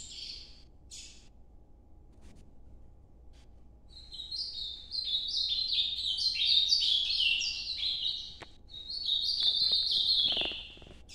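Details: Ultramarine grosbeak singing Nordeste-style noturno song. Two brief notes open a quiet stretch, then an extended sequence of repeated, sliding whistled phrases follows, with a few clicks in the background.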